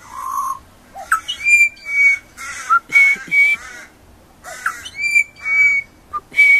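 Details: Baby pied butcherbird singing high whistled notes mixed with harsher, buzzy-edged bursts, phrases repeated with short gaps between them.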